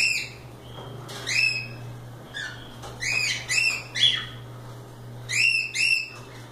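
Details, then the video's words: Cockatiels flying free and playing, repeating bright rising harmonic whistled calls in pairs and threes across several seconds, with a faint steady hum. "Calopsitas Live Canto dos pássaros"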